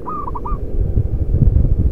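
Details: Local zebra dove with a loud voice, kept as a lure bird: a quick run of four soft, rolling coo notes in half a second, then low rumbling noise takes over.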